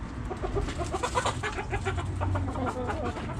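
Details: Backyard hens clucking together: many short overlapping clucks and murmurs from the flock over constant low rumbling background noise.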